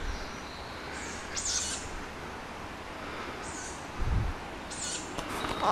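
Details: A group of young tawny owl chicks calling late at night, keeping in touch and crying out for food: short, hoarse, high hissing calls at irregular intervals, about four in the clip, with a low dull thump near the end.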